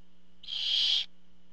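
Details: Barn owl at the nest as a parent brings food, a single harsh hissing screech lasting about half a second over a steady faint electrical hum.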